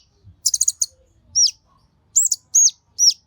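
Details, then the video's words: Kolibri Ninja sunbird song meant to stimulate other birds of the same kind: a quick rattled cluster of very high notes, followed by several clear, arched high whistles that rise then drop, on a near-silent background. "Pancingan Burung KONIN gacor emosi untuk KOLIBRI NINJA"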